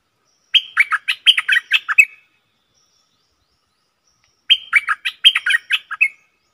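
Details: Stripe-throated bulbul kept in a cage, recorded on 7 June 2021, repeats the same bright, bubbling phrase of rapid chirpy notes twice, about four seconds apart, with quiet gaps and no other sounds.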